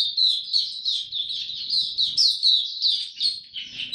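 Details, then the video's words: Mata puteh, the Oriental white-eye, delivering its 'tiong aw' song while being ramped up to form, 3 January 2022: dense, high, warbling chatter of quick chirps, loud and unbroken throughout. "Mata Puteh Dagger ramp up form buka tiong aw sing"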